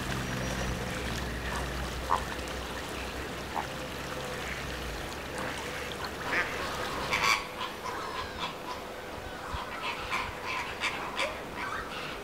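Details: Flock of greater flamingos at WWT Martin Mere in Lancashire calling continuously: overlapping clipped honks and gabbling notes, with steady low rumble early on that fades, leaving busy chatter.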